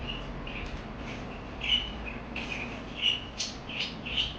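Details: Parakeets twitter steadily, soft high chirps building to a cluster of louder squeaky notes in the second half, over faint hum.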